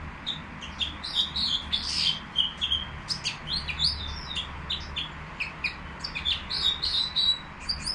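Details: At the Qrayaa bird market, a Nightingale pours out a fast, varied twitter of sharp high notes and short whistles, roughly three per second, rising into denser bursts toward the end, with quiet hum behind.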